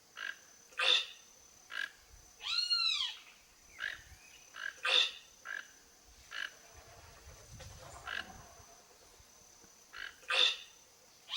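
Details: Wild toco toucan visiting a backyard for food: one rasping, arched croak early on, surrounded by many short, sharp, ticking notes spread irregularly across the clip.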